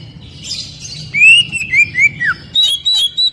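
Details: Oriental magpie-robin singing loudly, used to encourage untrained captive birds to sing. A series of clear descending whistles leads into high chattering notes, over a low rumbling hum.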